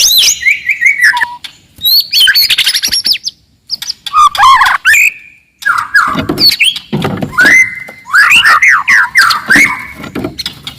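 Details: Wild forest white-rumped shama singing loudly and aggressively to stir rivals, mixing clear whistles, buzzy chatter and rapid varied phrases with short gaps, densely delivered.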